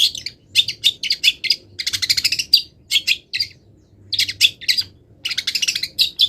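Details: Long-tailed shrike, not yet finished moulting, delivering song filled with imitated wild birds: rapid rattling chatter in dense bursts with brief silent gaps.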